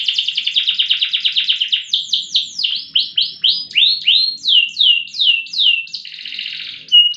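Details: Loper canary in full song, long and loud. A fast, dense trill turns into a series of swooping, slurred notes at about three per second, then closes with a buzzy roll.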